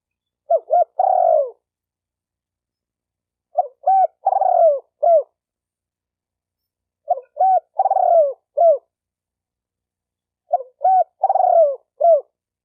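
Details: Four repeated spotted dove phrases, each two brief hoots, a long descending coo and a short closing note, spaced roughly three and a half seconds apart with silence between.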